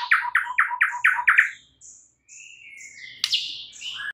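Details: White-rumped shama in morning song, opening with rapid chipping notes, then slower clear whistles at varied pitches and a sharp rising-and-falling whistled flourish near the end.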